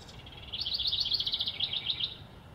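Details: A House Wren gives its bubbling breeding-season call, repeated 9 to 11 times a minute: a fast, bubbling run of high, jumbled notes lasting about one and a half seconds, with faint background hiss.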